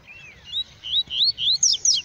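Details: Yellow-bellied seedeater, a black male, singing in the bush: one falling whistle followed by a quick series of loud, upswept slurred notes climbing higher toward the end.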